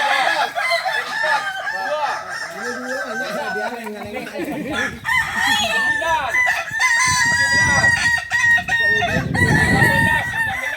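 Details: Kokok balenggek roosters at a practice contest in Solok, Indonesia; long, stepped crowing with layered harmonic syllables rising and falling, several crowers overlapping, with crowd noise and loud broadband rumble in the later part.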